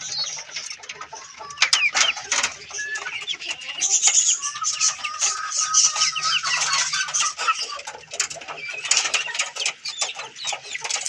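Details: Several Australorp hens, looking for food in a hand, cluck and chatter in a busy overlapping flock, with soft purring notes and sharp clucks throughout.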